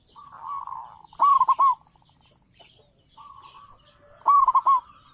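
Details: Loud-voiced local zebra dove, recorded as a lure call for dove trappers. A soft buzzy trill is followed by a strong phrase of several quick rolling coos, and the pattern is repeated after a pause.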